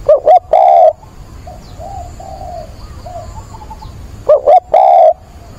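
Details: Caged spotted dove used as a decoy, calling for a mate. Two loud bursts of quick stuttered coos ending in a longer wavering note, with soft distant coos from other doves in the quiet gap between.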